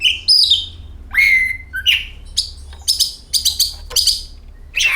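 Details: Lure song of an oriental magpie-robin, meant to set other birds singing: a long, bright downslurred whistle, then quick rasping chips and sharp high notes in rapid succession over a faint low hum.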